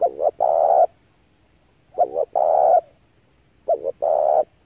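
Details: Spotted dove calling to lure doves into a trap. Three evenly spaced phrases about two seconds apart, each a quick double note then a sustained mellow coo, over a quiet background.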